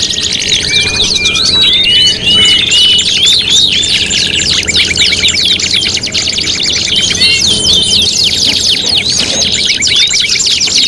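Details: Canary singing for competition training, bright whistled notes and rapid rattling trills rising and falling, busy chattering phrases throughout, faint low hum underneath.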